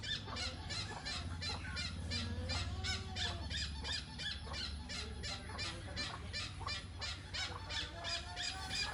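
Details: Hornbill squealing continuously with a rapid chain of harsh, rasping notes, around three per second, for the whole stretch. A constant low hum is in the background.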